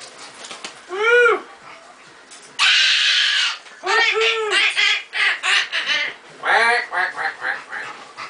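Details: A pet male Goffin's cockatoo gives nasal, duck-like quacking honks, one early then a quick run of about eight with a brief harsh rasp between; owner suspects he copied a baby Timneh African grey, which honks when hungry.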